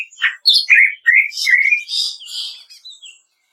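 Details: Greater green leafbird kretekan song, used as training audio for caged birds: short, bright, rising whistles at first, then a fast, buzzy, crackling chatter that fades into a few soft notes and silence.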